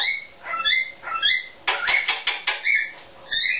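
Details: Pet Eclectus parrot making up its own song, mixing clear whistled notes with a rapid burst of rough, chattering syllables, then more whistles.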